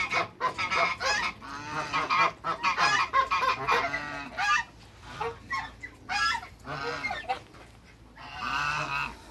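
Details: African geese in a backyard, two males with one female, trade repeated nasal honks in irregular bursts, some calls rising and falling, with short quiet gaps.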